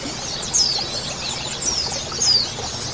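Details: Colony of male and female white-eyes, played as therapy to get birds opening their beaks and singing: dense high, thin chatter with a few sharp descending whistled notes standing out near 0.6 and 2.3 seconds, over steady background hiss.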